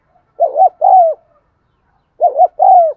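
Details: Spotted dove giving two coo phrases, meant to set caged birds cooing. Each phrase is a rapid paired hoot followed by a sustained, downward-sliding coo, with silence around them.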